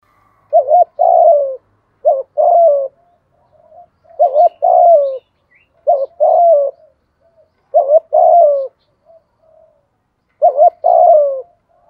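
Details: Decoy spotted dove cooing to stir other doves into calling, repeated phrases of a brief wavering note then a longer falling purred coo, about every two seconds, six phrases against silence.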